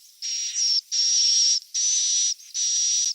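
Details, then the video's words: Swiftlet chick calls, a lure sound played to draw swiftlets in to roost: four long hissy notes with a thin steady whistle on top, each about half a second, separated by short gaps. "SUARA WALET ANAKAN TERBARU"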